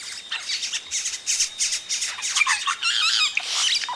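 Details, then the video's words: Yellow-rumped cacique chicks at the nest calling as adults arrive, close up: dense overlapping harsh squawks and chatters, high-pitched and continuous, with other birds in the background. "Yellow-Rumped Cacique. CU Calls From Chicks As Adults Arrive At Nest."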